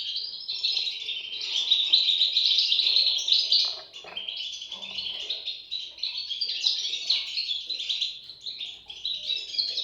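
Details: Goldfinch chicks calling in a fast, jittery series of high tweets, nearly four per second, with a short lull around the middle before the chorus picks up again.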